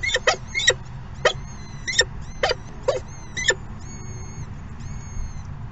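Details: Peregrine falcon at the nest during late morning feeding: a rapid series of harsh, scratchy calls, roughly two per second, then a pause filled with thin sustained high whistles over a low background drone.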